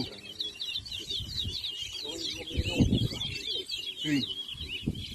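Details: Towa towa (large-billed seed-finch) in a 2023 singing contest in Anna Regina, Guyana: lively rippling warble, repeated slurred notes, with chatter and a brief raised voice from the crowd.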